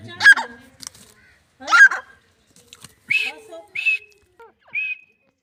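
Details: Grey francolin, called teetar or Dakhni teetar, giving a series of loud, harsh notes roughly every second. The first notes are rough and broad, and the later ones are higher, rising, ringing notes. The background is quiet.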